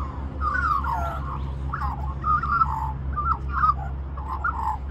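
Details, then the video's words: Magpie begging for mango in Cirillo Reserve, Middleton Grange, New South Wales, Australia, giving a quieter run of short warbling, yodelling notes in quick succession, partly masked by strong low rumble of wind or handling noise. "Magpie Sings For More Mango"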